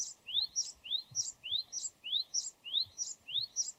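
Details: Japanese tit singing steadily. A clear two-part motif repeats about eight times at an even pace: a sharply rising whistled note, then a higher bright note, like a ringing 'tsupi-tsupi'. The background is quiet.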